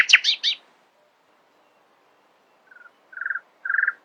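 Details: Early-morning nightingale song: a few loud, sharp, high chirps, a pause, then lower churring phrases made of fast pulsed notes in three short bursts.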